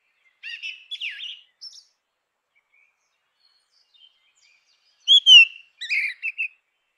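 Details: Song of a grey-winged blackbird: a short cluster of mellow, twisting whistles, a long quiet gap, then a louder burst of clear rising-and-falling fluted notes with a few high thin tones.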